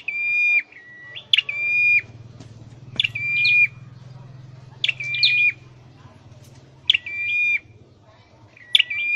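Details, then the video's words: Caged Indonesian scarlet-headed flowerpecker in training sings repeated phrases about every two seconds, each a bright chirp followed by a sustained level whistle, over a steady low background hum. "Deep red-headed birds(Dicaeum Trochileum): Birds thoroughbred training for singing chirped"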